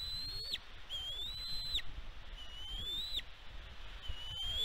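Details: Bald eagle at a nest on Catalina Island, California, USA, filmed by a nest camera on 16 May 2022. Thin whistled notes slur upward, hold, then drop sharply, repeated about every 1.3 seconds over low rumbling wind.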